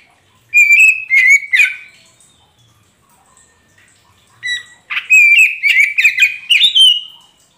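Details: Oriental magpie-robin (kacer poci) singing, played as a lure to prompt a silent caged bird to answer. Loud bursts of sweet whistled notes mixed with sharp chips and rising slurs come in two phrases separated by a silent gap.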